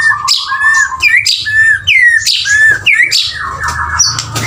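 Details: Male white-rumped shama delivering repeated rich whistled phrases, each a low steady note followed by an upward-curving slur, about once a second, ending in a rapid stuttering trill.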